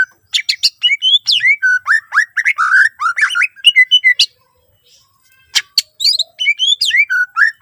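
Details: Greater green leafbird delivering a fast, continuous song meant to provoke other leafbirds: rapid strings of slurred whistles and chips, about a second of silence, then more looping whistled phrases.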